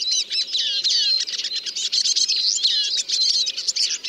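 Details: Eurasian siskin song: dense, high twittering mixed with slurred whistles and harsh buzzy elements, delivered in a continuous fast stream.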